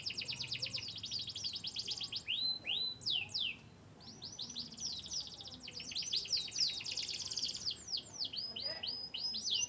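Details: Canary descended from Yorkshire lines from Turkey and the US, singing bursts of rapid high trills and falling whistled sweeps, pausing briefly mid-song before resuming, with a faint low rumbling background.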